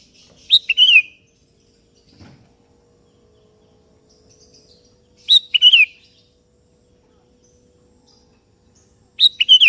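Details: Sooty-headed bulbul of the kebo type, calling a rival that responds; three matching bright gurgling phrases repeated roughly every four and a half seconds, each a clear note dropping into a short warble, plus a soft thump.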